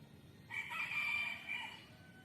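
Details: A single distant rooster crow of about one and a half seconds, a hoarse, strained cock-a-doodle-doo with a slight break early on, heard against steady low background rumble.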